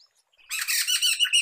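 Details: Poksay mantel (black-throated laughingthrush) song for luring or tutoring cage songbirds: after brief silence, a burst of harsh, dense, squawky chatter with bright repeated notes.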